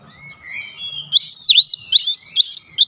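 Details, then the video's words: Kacer, or Oriental magpie-robin, singing as a provoking lure: a soft thin rising whistle leads into loud, swooping whistled phrases with sharp upward flicks, repeated roughly every half second. "KACER MANAPUN GAK BAKALAN DIAM MENDENGAR PANCINGAN AMPUH TERCEPAT BIKIN EMOSI"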